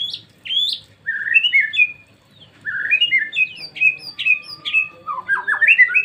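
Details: White-rumped shama in rich song: clear whistled phrases rising and falling, delivered in bursts separated by short pauses, ending with a busy cluster of quick overlapping notes.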